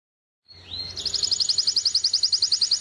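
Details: White mutation European goldfinch singing: after a short rising whistle comes a fast, even trill of bright high notes, about eight per second, run together into a steady twittering.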